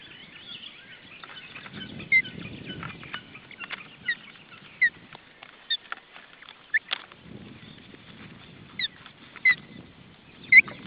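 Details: Osprey family at the nest in Estonia, June 2012: scattered short, sharp whistled chirps every second or so over a crackly background with low rustling.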